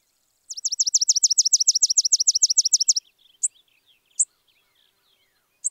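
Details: Spizella sparrow, a small American sparrow, singing a rapid dry trill of about twenty high downslurred notes packed into two and a half seconds, followed by a few scattered thin high chips in otherwise quiet surroundings.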